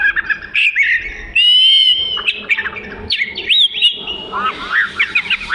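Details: Oriental magpie-robin (kacer) singing actively, as training material for other birds: whistled notes, a steady buzzy trill, then zigzag slurs and quick chattering twitters.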